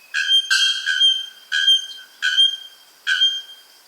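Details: Bare-throated bellbird, a key indicator species whose loud chime marks a healthy, functioning ecosystem, giving a series of five loud, ringing metallic bell-like notes, some doubled, spaced roughly every three-quarters of a second.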